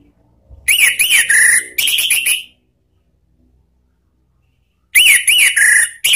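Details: Orange-headed thrush lure song for cage birds, ngeplong and ngeriwik style: a loud phrase of arched whistles and a level note, a second shorter phrase, a silent gap of about two seconds, then the pattern repeats.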